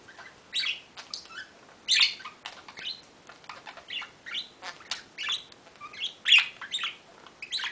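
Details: Bluebird singing excitedly, a continuous stream of short high chirps and twittering warbled phrases in quick irregular bursts, some notes harsher and louder than others.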